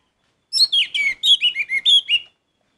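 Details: Orange-headed thrush in full vigorous song: a fast phrase of eight or nine rich, descending whistled and chattering notes packed into under two seconds, then silence.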